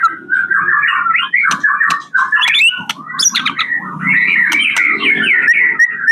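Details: Continuous rich song of a White-rumped shama from Medan, Indonesia, with the varied mixed-in phrases called isian: dense warbled, whistled notes and sharp clicks sweeping up and down without pause over six seconds.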